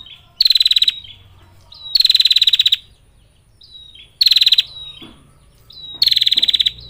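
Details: Long 'ngetir' calls of a female bar-winged prinia summoning males: four bright, buzzy, fast-ticking bursts under a second each, spaced by pauses with brief whistles and faint clicks.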